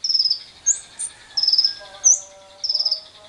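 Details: Lovebird ngekek lure, meant to prompt other lovebirds to trill at length, recorded alongside wild birds: short buzzy pulsed chatter bursts alternating with quick rising high notes, plus faint lower tonal whistles.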